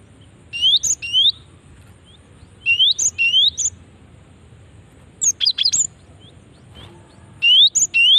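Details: Cinereous tit female call used to lure and prompt responses from other birds. Loud, repeated pairs of rising, whistled chirps with one faster burst of sharper notes, repeated every couple of seconds.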